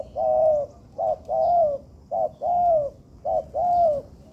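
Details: Zebra dove being trained in a home-made yard, giving repeated soft cooing notes: short low coos alternating with longer slightly falling coos, about one every second, clear against a quiet background.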